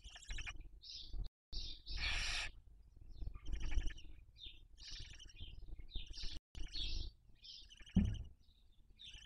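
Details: Barn owls rearing young at a webcam nest, Cabañeros National Park, Castilla-La Mancha, Spain, 2023: a steady stream of short high twittering chirps with one harsh hissing screech early on and some low knocks.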